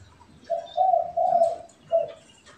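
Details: Spotted dove, pet and wild birds exchanging calls, one phrase of three drawn-out coos followed by a single short coo, over a low steady hum.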